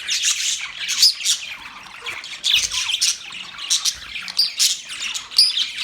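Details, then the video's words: Budgerigars give bursts of high chirping and twittering squawks, coming in loud waves about every half second, with a few sharp squeaks between. "Budgies chirping sound"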